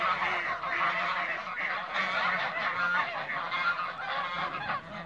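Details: Toulouse geese gathered in a backyard: loud, strident honking from many birds at once, a continuous rough chatter with occasional clearer nasal notes standing out.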